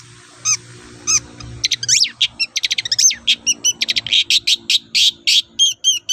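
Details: Long-tailed shrike singing as a lure for other shrikes: a couple of isolated notes, then a fast, varied stream of sharp chips, slurred whistles and rising sweeps, with a low steady hum underneath.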